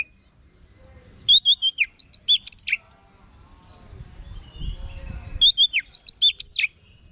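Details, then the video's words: Orange-headed thrush (anis merah) delivering the same short phrase twice, about four seconds apart. Each phrase has a few clear whistled notes dropping into high sharp chips, with quiet low background hum between. "Guru Vokal ANIS MERAH"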